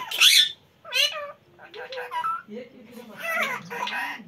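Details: Baby parrot talking in Hindi: a sharp squawky burst, then a run of word-like syllables rising and falling in pitch over about four seconds.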